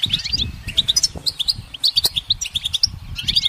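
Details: Goldfinch perched in sunlight, singing clear, ringing chirps spaced in quick bouncy runs, with a few buzzy notes, over steady low-pitched background rumble.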